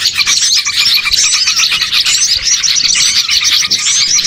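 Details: A bird-catching lure of a small-bird flock: constant overlapping squeaky chirps and thin twitters, steady and crowded from start to end.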